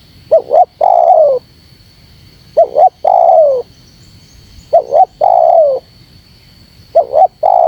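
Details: Spotted dove calling to provoke wild doves. A paired short hoot leads into a longer downward-sloping coo, repeated roughly every two seconds, four phrases with the last cut off. A thin steady tone runs underneath.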